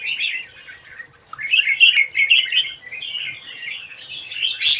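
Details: Caged red-whiskered bulbul, a Singapore-style kept bird in a square cage, singing a run of bright warbled phrases that rise and fall, with a low swoop near the middle and a sharp high note at the end.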